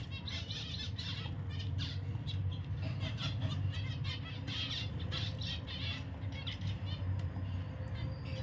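Zebra finch song: quick runs of short, nasal, buzzy notes over a steady low hum.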